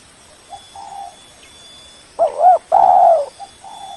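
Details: Spotted dove calling a rival as a lure: soft low coos, then one loud phrase of a brief double coo and a sustained, slightly falling coo, followed by fainter coos.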